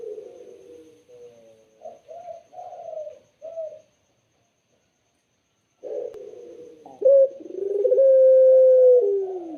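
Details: Spotted dove singing clearly and melodiously: soft wavering coo notes and short bursts, about two seconds of quiet, then a rising pulsed build-up into a long, loud, held coo.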